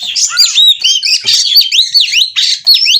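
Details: Oriental magpie-robin in breeding condition, eager to mate, singing 'ngobra' style: loud, clear whistled phrases arching up and down, given in short bursts about a second apart, with brief rough chatter between them.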